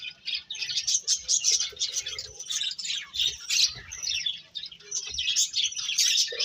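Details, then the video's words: A flock of birds keeps up a constant, shrill chirping of rapid overlapping tweets throughout, ending on a slightly lower squeak. "Cute Birds Chirping Sounds"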